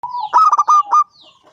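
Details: Five-year-old local zebra dove of wild stock, a frequent singer with a big voice, used to lure other doves into singing; one rapid phrase of about six clipped, resonant coos, the last held slightly longer, then faint trailing notes.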